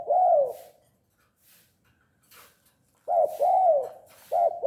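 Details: Spotted dove, tame and calling often, gives one arched mellow coo, falls silent for two seconds, then resumes with a clipped note and long coo, followed by another short note.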